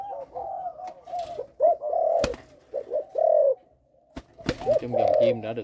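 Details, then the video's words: Captive Malaysian-line Spotted Dove sire giving a stuttered coo with three opening notes: scattered low hoots with pauses, sharp knocks and a short silence, then a fuller coo at the end. "gù cà lăm 3 tiếng đầu"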